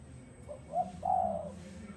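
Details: Calling spotted dove, Malaysian type, 'giọng đồng' voice style: two quick rising coo notes leading into a long, smooth, low hollow coo, with light background noise.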